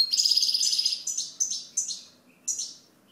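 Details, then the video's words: Goldfinch song opening with a dense, rippling trill of high tinkling notes, then breaking into single sliding chirps spaced a few tenths of a second apart. "Chant Chardonneret"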